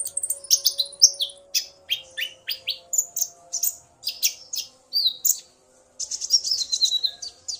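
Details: Male common iora in full song after hearing a female's call, the two exchanging calls; fast runs of sharp, high chirps and slurred whistles, then a short silence before another dense burst.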